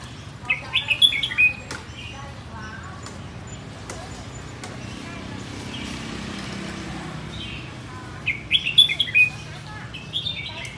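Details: Red-whiskered bulbul of Phetchaburi stock, plai loi song style: two short bursts of clear, warbled whistles, one early and one late, separated by several seconds of low background hum.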